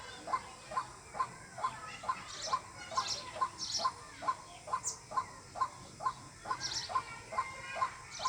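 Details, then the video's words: Repetitive White-breasted waterhen call, used as a lure in bird hunting: around eighteen short knocking notes at a steady pace of roughly two per second, with scattered sharp high twitters from other birds overhead. "Jal murgi Ki Awaz water hin || ডাউক পাখির ডাক। Waterhen Bird Call। পাখির ডাক দিয়ে পাখি শিকার।"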